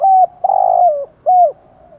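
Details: Spotted dove used as a lure, giving thúc gù style coos. A clear level coo is followed by a long rolling, burry coo that drops in pitch, then a clean arched closing note.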